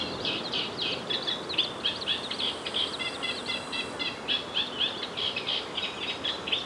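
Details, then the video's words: Little grebe, an adult feeding its two chicks, calling in a rapid run of short high chirping notes, about four per second, for several seconds; faint outdoor background. "Little Grebe - chicks, feeding, call - Zwergtaucher"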